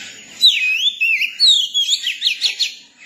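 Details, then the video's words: Song of a young Oriental magpie-robin: a sweet whistle dips and rises, then a high sliding note leads into a brisk series of short, sharp notes repeated about four times a second. "tiếng chim chòe than bổi hót"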